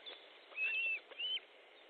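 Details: Osprey at a nest in Estonia, 14 July 2014 around 12:50, during a fish delivery to the nest. Two clear, thin whistled notes, the first held level, the second slightly rising then dropping, heard through a muffled nest-camera microphone.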